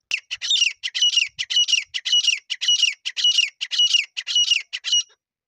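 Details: Grey francolin (desi teetar) call from Sindh, Pakistan, used to lure birds for partridge hunting: a rapid series of harsh, squawky notes repeated nearly twice a second, each ending in a short whistled tone, steady for about five seconds.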